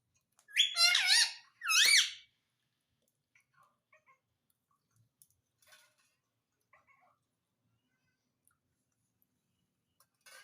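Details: Talking parrot, known for saying "Mitthu Mitthu", gives two loud harmonic, wavering speech-like phrases near the start. Near silence follows, with a few faint clicks and small ticks.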